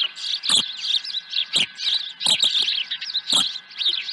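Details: Osprey at a ranch nest, 23 April 2020, a second fish brought in; high, sharp chirping notes strung together, with sharper accented squeaks roughly every second, over a steady hum.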